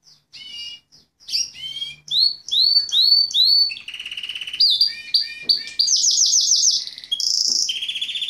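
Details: Male Fife Fancy canary singing at home, a varied, loud song of clear whistled phrases: repeated downslurred notes in quick series, rapid trilled rolls, and a high buzzy section near the end.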